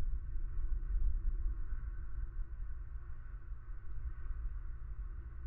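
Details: Low fluctuating rumble with a faint steady tone above it near a Southwest Florida eagle nest in February; no animal sound is heard.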